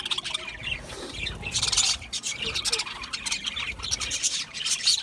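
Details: Budgerigars chirp in bright clustered bursts of high tweets and scratchy notes, with quieter murmuring chatter between the louder phrases.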